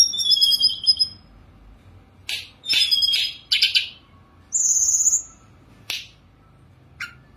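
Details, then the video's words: Caged Sunda robin perched and singing with rich fill-in phrases: a high trilled opening, scattered sharp chips and brief warbles, one long thin whistle, with pauses between. "Tledekan Gunung Gacor full diam di pangkringan||| isian mewah..."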